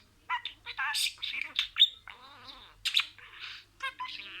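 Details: Budgerigar imitating a string of words: quick, high, raspy syllables, some warbling wavy notes, a sharp squeak near the middle, then more chattering bursts after a pause.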